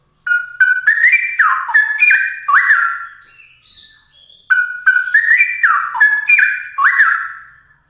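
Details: Straw-headed bulbul (cucak rowo) in lively, energetic song: loud, rich whistled phrases that rise and fall in bubbling runs. A brief pause holds a few thin high notes, then the warbled phrase repeats. The background is clean.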